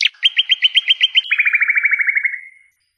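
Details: Nightingale song from a recording made as a song tape: a clear series of evenly repeated whistled notes, then a faster, lower trill that fades out, in clean silence.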